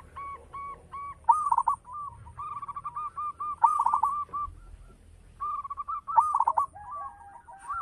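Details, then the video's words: Local zebra dove, a keen singer with a big, rich voice, repeating cooing phrases of quick stuttering notes that end in a rolling trill, about every two to three seconds. Brief crackling bursts mark each loud phrase. "Perkutut lokal gacor - SUARA BESAR MEWAH"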